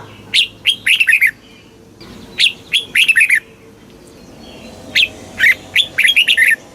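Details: Southern master-style song of a Thai red-whiskered bulbul, used to rouse caged birds and teach young ones. Three phrases of quick, sweet, slurred whistles are repeated about two seconds apart.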